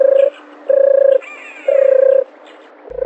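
A dove gives low, soft, slightly purring coos in short bursts, about one each second, with a faint higher twitter between them.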